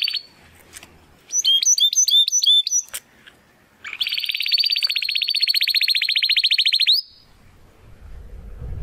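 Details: Young Spanish Timbrado canary trying to find its full song: a few clear whistled notes, then a rapid metallic rolling trill held for about three seconds, with short gaps of quiet between phrases.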